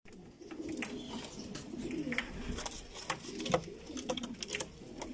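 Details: Domestic pigeons of the Bulgarian breed, abssi type, kept in a loft. Low, throaty cooing hums along steadily under frequent sharp clicks and rustling of wings and feet in a small room.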